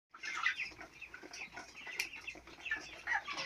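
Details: Four-week-old chicks on a farm, a dense chorus of high chirping peeps overlapping throughout, with rustling and soft scuffling underneath.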